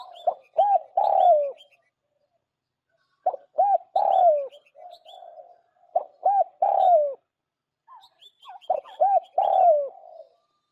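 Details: Spotted dove song used as a lure call for bird trapping: phrases of short rising-falling coos ending in a longer drooping note, repeated about every three seconds, with faint high chirps from other small birds.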